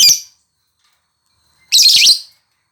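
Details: A lovebird makes a brief shrill chirp, then after a pause a longer, louder, raspy burst of high chattering lasting about half a second.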